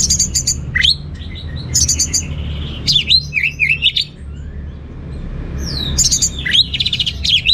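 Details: Orange-headed thrush in busy 'gacor teler' singing with rich material: high rattling chip bursts, looping whistled slurs and scratchy warbles, a quieter pause mid-clip, then more swooping whistles over faint low rumble.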